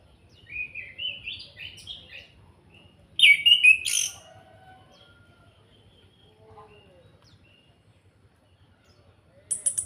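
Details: Orange-headed thrush from Salatiga delivering kretekan calls to goad other birds into song: a rising run of short chattering notes, then a loud scratchy burst, quieter soft notes and a sharp high chip at the end.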